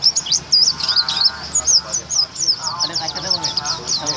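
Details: White-eye recorded before a singing contest, a triple-winner bird; rapid, dense run of high, thin chirps and twittering notes, continuous throughout, with people talking underneath.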